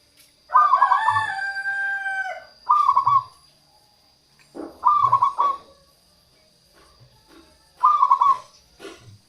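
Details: Lure song of a local zebra dove, for attracting wild doves and encouraging lazy ones to sing: four phrases of fast, rolling staccato coos, the first drawn out, with a constant high electronic whine behind them.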